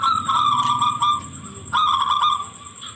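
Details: Captive local zebra dove with a shrill voice, used as a lure to make other zebra doves answer, gives ringing cooing notes: a long drawn-out phrase, a brief pause, then a second similar phrase, with faint background hiss.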